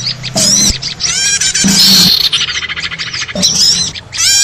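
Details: Lure audio for small birds: overlapping squeaky chirps and a fast run of evenly spaced ticking notes, with a loud whistled note near the middle and short low thumps.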